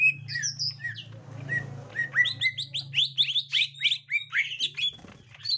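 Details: Green leafbird, a captive bird reacting to a young wild one: a few sharp chirps over a steady low hum, then a lively series of quick hooked, slurred notes repeated rapidly.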